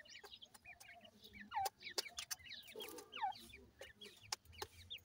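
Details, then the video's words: Francolin chicks at a feeding session give scattered high peeps and a few longer drooping whistles, punctuated by sharp clicking taps. "Teetar chicks ke awaz"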